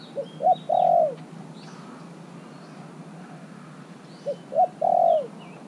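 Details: Spotted dove in a cage, three months kept, singing to lure wild birds. It gives two repeated three-note coos ending in a long burry falling note, while other small birds twitter faintly above.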